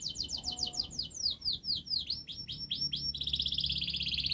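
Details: Canary performing a long, speedy song as a training model for juvenile canaries: a cascade of sweeping downslurred whistles, a run of rising slurs, and a dense high trill at the end.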